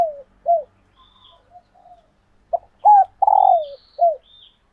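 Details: Female spotted dove in laying condition, whose calls excite males to coo back and court: low falling coos, quiet murmurs, then a loud phrase of short notes, a long sliding coo and a closing short coo.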